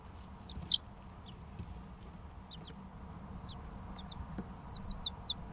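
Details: Three-week-old chicken chicks heard as scattered short, high, downward-sliding peeps, single or in quick pairs, over a low steady hum.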